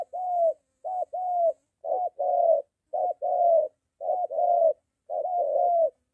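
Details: A moulting spotted dove decoy in training close to home meets a wild dove; clear coo pairs, a quick short note then a longer rounded coo, repeat at an even pace.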